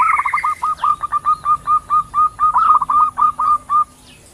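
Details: Female and male zebra doves calling back and forth in nature, a brisk run of evenly spaced, short hooked coos, slightly uneven, trailing off near the end over a faint insect drone.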